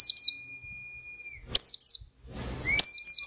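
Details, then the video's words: Caged white-eye, chosen from a crowded communal cage and singing after two weeks, gives sharp, high twittering bursts of two to four descending notes between a sustained level whistle, in a quiet setting. "Pleci Ombyokan 2 Minggu Gacor"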